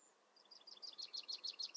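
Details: Tree pipit in song: thin, high notes in rapid alternating high-low pairs, about six per second, swelling in loudness over under two seconds, over a faint steady background hiss.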